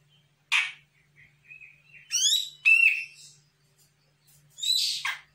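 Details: A young, untrained Sumatran Grey-cheeked bulbul answers a lure call with harsh, rasping bursts and quick chattering notes, with a short thin whistle between them, over a faint low hum.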